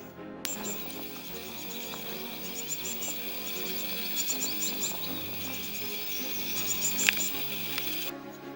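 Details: Great tit (Parus major) chicks in a nest in a forest begging for food while the parents busily bring caterpillars, worms and small flies: a steady high hiss broken by rapid thin, shrill cheeps, with soft music underneath.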